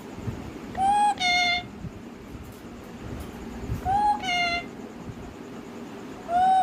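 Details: Talking parrot producing paired vocal sounds: a clear rising whistle-like note followed by a rich, nasal, harmonic call, the pair repeated about every three seconds, with low room rumble between.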